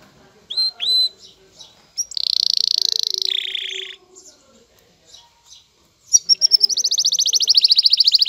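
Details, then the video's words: Male canary in courting excitement before a female: two rising whistles, a long harsh buzzing trill stepping down in pitch, a quiet gap with soft notes, then a fast rising rolling trill. "ذكر كناري هائج يجعل أنثي الكناري تأخذ وضعية التلقيح"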